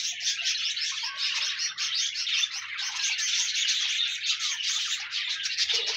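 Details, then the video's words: Several pet budgerigars warbling at once, sound meant to encourage a lone budgie to sing: constant high chattering and quick twittering notes overlapping throughout, with one short lower squawk near the end. "No more lonely budgies. Pet parakeets encourage your bird to sing"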